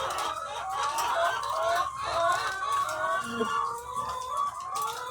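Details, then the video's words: Thousands of egg-laying hens on a farm: a dense chorus of overlapping clucks and drawn-out squawking calls, many birds at once, continuous and busy. "The Sound of Thousands of Egg-Laying Chickens"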